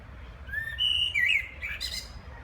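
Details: Common blackbird song in the background: a soft rising whistle, a sustained clear fluty note and a quick warbled turn, closing with a scratchy high twitter over faint low noise.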